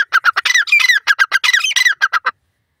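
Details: Grey francolin calling in Indian open country, a rapid chattering run of about twenty harsh, squawky syllables with a few longer grating notes in the middle, ending abruptly.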